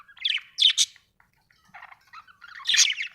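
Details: Budgerigar giving scratchy chirps and buzzy warbled notes in short bursts, with a brief quiet gap in the middle.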